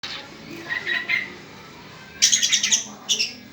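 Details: Young long-tailed shrike giving short harsh buzzy bursts: a faint phrase near the start, then a loud run of about six rasping notes around the two-second mark and a final pair, with quiet background.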